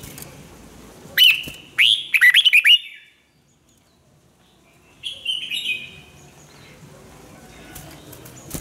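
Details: Red-whiskered bulbul kept for song training sings rapid clusters of slurred whistled notes, a burst near one second then a quick stuttering run, a pause of silence, then a softer warbled phrase; faint low hum underneath.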